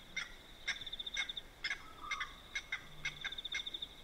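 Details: Nighttime by a dam in South Africa's Manyeleti Game Reserve: blacksmith lapwings strike out bright metallic tinks about twice a second. A rapid high pulsing trill and a brief low hum sit beneath them against steady background hiss.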